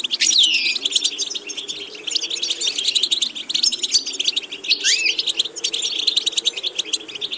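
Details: European goldfinch singing a training song: a bright slurred whistle at the start, then an unbroken stream of quick buzzy twitters, a rising whistled swoop near five seconds, a faint low hum throughout.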